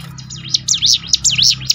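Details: A short burst of mountain prinia song: several high, arching whistled notes rising and falling in quick succession over a low steady hum. Played to get caged birds singing.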